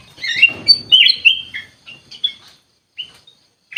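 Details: Kutilang emas (ruby-throated bulbul) singing in a lively, excited mood: quick bright chirping phrases with short slurred whistles, loudest early, then sparse single notes after brief pauses.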